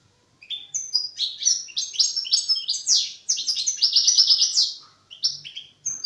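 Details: A young European goldfinch rehearsing immature song, starting after a short silence with quick tinkling chirps building into a dense, fast twittering phrase, then a pause and a couple of final notes.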